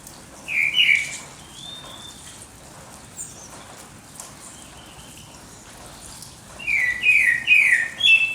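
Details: Dawn birdsong: a short burst of bright chirped notes, then a long quiet stretch with faint distant twitters, then a louder run of quick, sharp, repeated whistled chirps.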